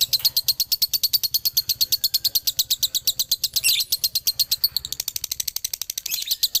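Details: Fast dobelan chatter from a male Galendo lovebird of Ciamis. Shrill chirps follow each other in a long rapid chain, with a couple of harsher, buzzier notes mixed into the middle and the end.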